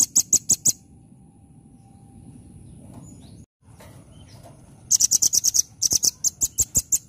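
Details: Velvet-fronted nuthatch, called rambatan, gives bursts of nembak-style song: fast strings of sharp, very high staccato notes open the recording, then a quiet pause with faint rustling, then two more rapid rattling runs.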